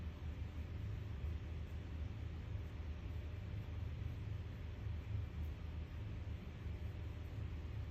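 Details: A continuous low vehicle-like rumble with faint hiss runs throughout, and no bird calls are heard.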